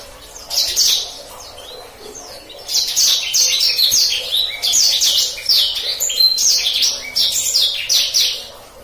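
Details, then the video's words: Energetic black-throated canary song, 'gacor ngeroll' style for canaries to memorize: one short phrase, a gap, then a long run of rapid, high, down-slurred chirps repeated over three per second. "Kicauan Blacksang Gacor Ngeroll"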